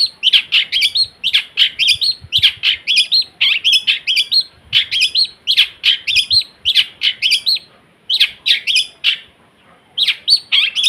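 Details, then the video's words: Caged long-tailed shrike in lively song, said to be clever at imitating other sounds: fast, varied chirping notes in dense repeated bursts with brief gaps, loud and close. "Cendet Gacor yang pintar niruin suara - suara lain"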